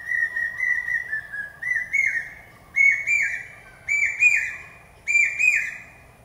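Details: Shrill, monotonous "pi-peeah" phrases of a common hawk-cuckoo, also called the brain fever bird. A quick run of soft whistles climbs into loud double-noted screams about every second, rising in pitch and volume.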